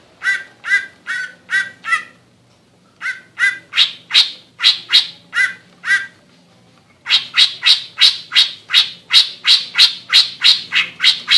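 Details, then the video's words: Greater green leafbird, a caged songbird from Indonesia, in loud song: harsh repeated notes around two seconds in, a pause, then a long fast run of sharp chattering notes, roughly three per second. "Cucak Ijo Ngekek"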